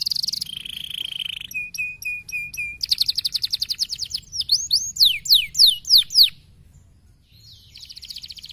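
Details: Stimulating canary song in bright high phrases: a steady whistle, a row of short clipped chips, then a rapid rolling trill and loud sweeping slurred notes, a brief pause, and a quieter trill resuming.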